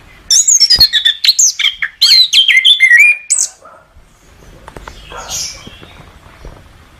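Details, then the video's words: Orange-headed thrush song used for bird training: a fast run of high, sharp notes stepping downward in pitch, repeated in quick succession for about three seconds, followed by faint background noise. "Masteran Suara Anis Kembang"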